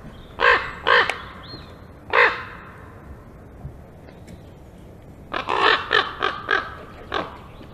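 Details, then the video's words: Two common ravens visiting a black stork nest tree in early afternoon, 5 May 2022, regarded as a threat; harsh croaks, three spaced, then a quick burst of five or six rasping notes, quiet background between. "Ravens! two of them? yes two!"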